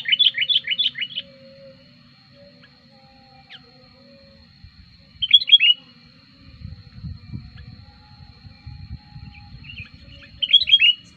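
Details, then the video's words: Lure-calling sooty-headed bulbul, active when wild bulbuls approach: bursts of quick, bouncy chirped notes at the start, middle and end, separated by pauses, with faint thin tones and a soft low rumble between. "suara pikat burung kutilang gacor ampuh"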